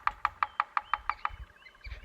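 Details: A Bearded Woodpecker taps eight crisp, hollow knocks on wood at about six per second, a rhythmic tapping used as territorial calling rather than feeding, with faint high bird notes behind, heard on safari.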